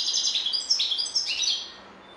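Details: Continuous bright chattering of a European goldfinch, slurred twitters and tinkling notes tumbling together, fading out at the end.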